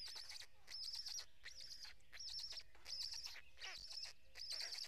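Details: Black stork chicks begging at a nest camera in Karula National Park, Estonia, at 07:04 on 23 May 2017 while an adult feeds them, a fourth chick newly hatched; high, wheezy, buzzy bursts come in pulses about every second.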